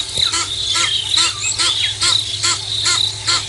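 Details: Egyptian geese fighting at Nkorho, early morning of 24 September 2022; hoarse, evenly spaced honks repeat about every half second, backed by a constant high-pitched insect chorus.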